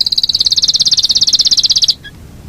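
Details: Yorkshire canary with a long rolling song phrase: a sustained, fast, even high trill lasting about two seconds, then a brief soft note.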